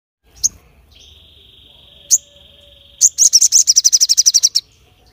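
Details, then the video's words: Crested jay, a caged bird calling sharply to provoke other birds into answering: a few isolated sharp notes, a long steady high whistle, then a fast burst of about fifteen harsh repeated chips. "SOGON Gacor Full Nembak Suara Tajam l Bikin Yang Lain Terpancing"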